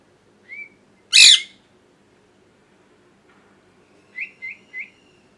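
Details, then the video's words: Molting pet parrot indoors makes a brief whistled note, then an explosive harsh squawk, and after a quiet spell three short, clipped chirps in quick even succession. "Parrot Chirping Sounds | Natural Parrot Sounds | Parrot Calling Sounds"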